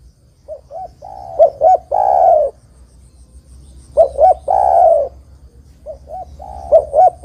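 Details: Spotted dove song meant to call in other doves for trapping: three cycles of soft double coos, two sharp hooked notes and a long drawn-out descending coo.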